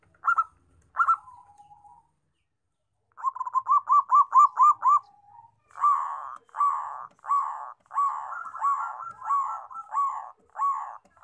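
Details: Local zebra dove: a few short notes, then a rapid staccato burst of rising notes, followed by a string of longer, rolling coos at a steady pace.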